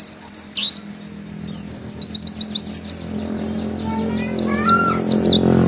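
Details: Mountain white-eye (pleci) in energetic 'gacor' song: fast, very high, sweeping twitters and chirps, a regular run of about ten notes, then looser warbling. A low hum rises beneath it toward the end.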